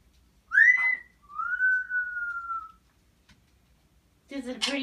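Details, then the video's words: A parrot whistles to a baby indoors: one quick rising note runs into a long, even, gently falling whistle. A brief, rough vocal sound follows at the end. "Parrot talking to baby"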